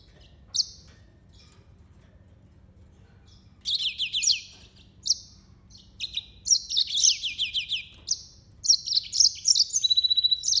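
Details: Yellow-fronted canary song: high sweet trills and twittering phrases, short bursts at first, then near-continuous rapid warbling with repeated buzzy notes, quiet background.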